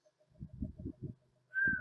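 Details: Isabela Oriole, critically endangered, in an early recording from San Mariano, Isabela province, published in 2004: a single clear, mournful whistle sliding slightly downward, after a stretch of soft background music.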